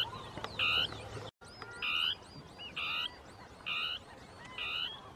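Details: Territorial song of a northern tapaculo hidden in shrubs: evenly spaced, harsh, buzzy notes repeated roughly once per second, a brief dropout near the start, faint whistled bird calls behind.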